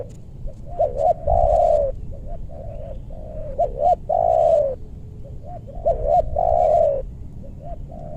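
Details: Used as a lure for wild doves in a meranti forest in West Bogor, a spotted dove repeats its three-part phrase about every two and a half seconds: soft coos, then a loud, long, buzzy croo.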